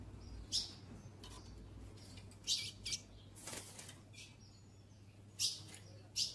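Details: Mating solicitation by a female ultramarine grosbeak: scattered piercing chip calls every second or two, some paired, with a brief wing flutter midway.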